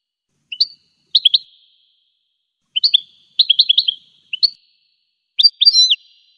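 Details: Goldfinch song of varied twittering bursts: clipped chirps and fast tinkling clusters in short phrases separated by pauses, ending with a sweeping liquid figure. No other sounds are heard.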